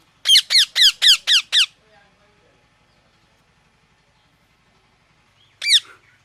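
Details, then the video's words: Parrot chirping: six harsh, downward-sweeping screechy notes in a quick, even burst, about four per second, then a pause and one more single screech near the end; quiet background. "Parrot Chirping Sounds"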